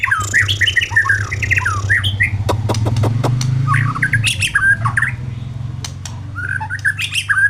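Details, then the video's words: White-rumped shama singing varied whistled phrases that rise and fall, mixed with short sharp notes and clicks, over a steady low hum. "Burung murai batu"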